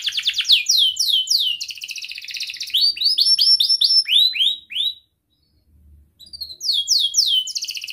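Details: A young canary, used to teach other canaries, sings rapid descending sweep trills and a rolling series of chirps, pauses briefly, then resumes with fast falling notes.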